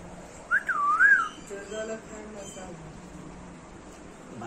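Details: Alexandrine parakeet kept as a pet, during playtime in a small room, gives a wavering, looping whistle that rises and falls twice in under a second, followed by softer murmuring sounds and quiet room background.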